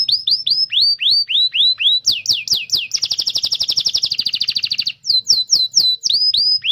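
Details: Canary song used as a master for young canaries and silent birds: rhythmic rising-falling whistles, sharp swoops, a long rapid buzzing trill, then more swept whistled notes.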